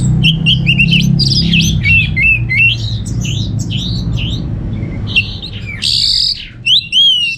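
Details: Orange-headed thrush kept at home in Singaraja, Bali, in a fast, loud medley of swooping whistles, chatter and harsh notes, with a strong low rumble in the background.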